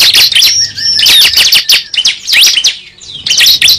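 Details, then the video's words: Cible lure sound: loud, tumbling bursts of high, sharply slurred chirps and whistles, with brief quieter gaps between phrases. "Pikat suara burung cible terbaru sangat ampuh"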